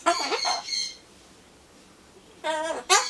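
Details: Captive Solomons corella, a pet cockatoo talking to itself while waiting for pumpkin: one loud, two-part harmonic squawk, a pause of about one and a half seconds, then two more rich, buzzy bursts, somewhat like a crowing rooster.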